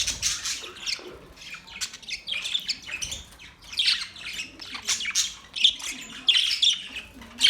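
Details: Australian parrots kept as pets, October 10, 2023, making irregular harsh squawks and clicking chirps, some short and sharp, others rasping, rising and falling in loudness over several seconds.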